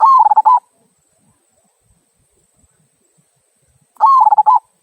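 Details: Two rolling, stuttering coo phrases from a local zebra dove singing the "kung" style, a song for prompting other birds to sing, separated by about three and a half seconds of near silence.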